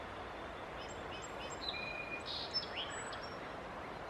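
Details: A Song Sparrow at White Clay Creek Preserve, Chester County, Pennsylvania, on 18 April 2016 gives a faint song of a few high, clipped opening notes, then a level buzz and a brief burst of jumbled phrases, under a steady rushing background.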